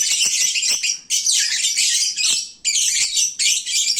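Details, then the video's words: Midday chorus of lovebirds, sated and drowsy, noisy as a bird market: rapid, piercing squeaks and chirps in short bursts, with dips in volume around one and two and a half seconds. "Kicauan Lovebird saat mengantuk"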